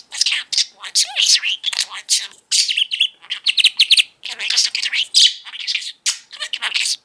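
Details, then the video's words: Male pet budgerigar, five years old, singing and talking after breakfast: dense high-pitched chatter of scratchy warbles, quick clicks and trilled bursts, broken by short pauses, inside a home. "Mango the incessant talking budgie"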